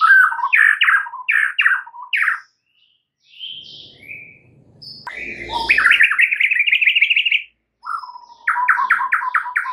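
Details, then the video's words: Morning song of a white-rumped shama: loud, varied whistled phrases, a few soft high notes, a rapid warbling trill, then a quick repeated series of short notes. "COBA 1 MENIT SAJA, mUrai MACET jadi NYAUT GACOR di PAGI HARI"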